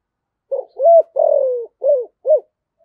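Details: Spotted dove's lure call in the 'giọng thổ' voice style, meant to attract wild doves quickly: one clear phrase of five low, hollow coos, the third long and falling, the last two short and evenly spaced.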